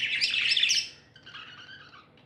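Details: Happy pet budgerigars chirping indoors: a dense burst of high, scratchy chattering twitters for about a second, followed by softer, lower warbling chirps fading out.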